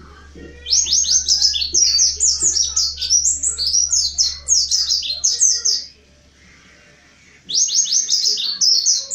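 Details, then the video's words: Wild mountain white-eye singing as a lure to get other white-eyes to open their beaks and sing: a long, rapid, twittering run of high slurred notes for about five seconds, a brief pause, then another fast burst over a faint low hum. "Suara asli pleci montanus gacor buka paruh pancingan pleci ngalas gacor nembak"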